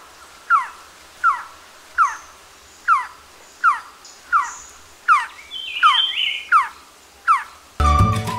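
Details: A Malabar Trogon in Sri Lanka gives a series of soft, falling whistled notes, about one every three-quarters of a second, with a brief other bird call and music at the end.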